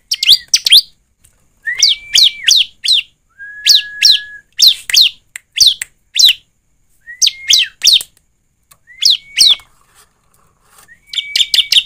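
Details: Bar-winged prinia song used as a lure to make birds sing: bursts of three to four sharp, upward-sweeping chirps separated by short gaps, several bursts joined by a level, sustained whistled tone, all high-pitched and clear.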